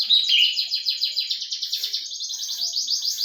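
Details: Canary singing a fast, buzzy trill of rapid repeated notes, about three to four per second, high-pitched and steady, sliding slightly lower partway through and then rising again.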